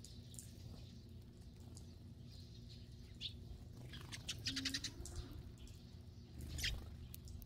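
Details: Eurasian tree sparrows by a woodpile used as their winter home on a rainy day, with scattered thin, high chirps and a brief chattering cluster near the end, heard against a constant low rumble.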